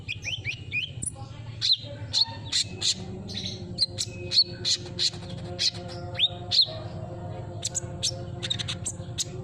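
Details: Lure sound of a sunbird meant to get a silent bird singing again: high, thin twittering chirps and short falling whistles repeated in uneven bursts, against a constant low hum.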